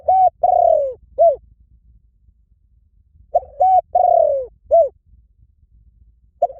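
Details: Spotted dove repeating its cooing phrase about every three seconds: two short coos, a long descending coo and a clipped downslurred ending, in quiet surroundings.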